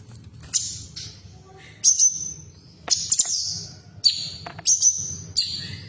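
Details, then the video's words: Female cucak cungkok bulbul voice used to get caged birds singing: high sharp whistles and short buzzy trills in bursts roughly every second, some dropping in pitch, with steady low hum behind. "Terapi Suara Cucak Cungkok Betina"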